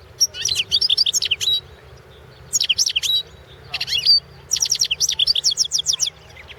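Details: European goldfinch singing in a 2016 world championship goldfinch song competition, recorded as a contest entry; bursts of rapid, high, buzzy and twittering notes in quick trills, with short pauses between phrases and a low background hum.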